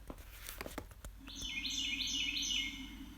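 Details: Carolina Wren gives its 'cheeseburger' song: a loud, rolling, high whistled phrase repeated quickly, about four times in two seconds, after clicks and handling noise, with a low hum underneath.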